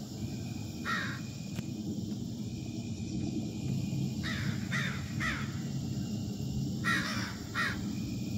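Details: Crows from a passing flock harassing a newly arrived male, recorded on an August evening; several harsh caws come in short bursts around the one-second mark and again between four and eight seconds, over a steady low rumble of background noise.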